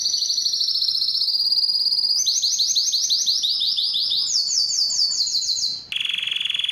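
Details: Spanish Timbrado canary singing: rapid high trilled tours, a descending rolling series, then rising stepped trills and a sudden lower sustained note near the end.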